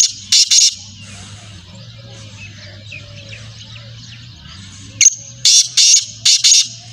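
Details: Black francolin giving harsh, grating notes: two scratchy bursts at the start, a long quiet gap over a low steady hum, then a rapid run of four or five rasping notes.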